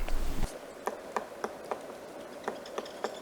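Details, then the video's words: A Pileated Woodpecker tapping in a tree at Pinery Provincial Park, southwestern Ontario, on a cloudy late-January winter morning about half an hour after sunrise: about seven sharp, hollow knocks, roughly three a second with a short midway pause, after a brief low rumble. "So I could hear him tapping and I found the pileated woodpecker, so he's up here in this tree."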